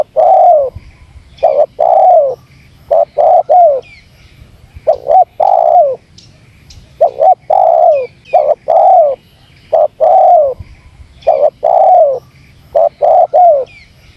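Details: Spotted dove in continuous 'gacor' lure calling, meant to gather birds: a rapid stream of short paired notes and long falling coos, about forty phrases a minute, closely packed and overlapping.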